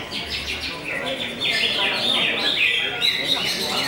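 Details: Greater green leafbird (cucak hijau) singing a dense run of bright, quickly repeated chirps and trills, fast and uneven, with a fuller, louder stretch in the second half.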